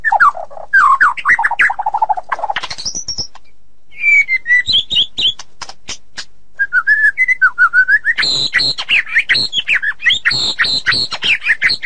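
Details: White-rumped shama song for tutoring songbirds: varied whistled phrases, lower slurred notes then a rising high whistle, dry rattling clicks, and a fast, loud, high chattering stretch near the end.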